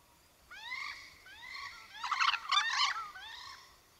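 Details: White-necked crow calling: upslurred harmonic notes, then a rough, rattling, guttural chatter in the middle, followed by another rising note, over faint background hiss.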